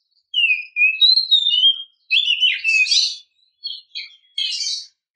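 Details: Female Oriental magpie-robin calling to stimulate a male to sing. Clear whistled phrases, sliding down then up, are followed by bursts of dense, buzzy, scratchy notes and a few short chirps. The background is silent.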